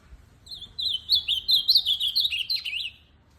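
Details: Tournament ultramarine grosbeak singing one long, lively phrase lasting about two and a half seconds, a rapid string of sweet whistled notes bouncing up and down, with quiet surroundings.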